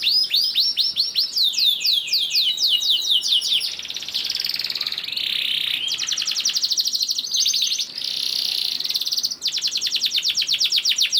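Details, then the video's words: Lure song of a strongly singing canary meant to prompt other canaries to sing: a run of descending whistled slurs, then a buzzy roll and rapid, even trills held for several seconds. "PANCINGAN KENARI GACOR DOR NGEREK PANJANG INI AMPUH BIKIN KENARI LAIN BUNYI"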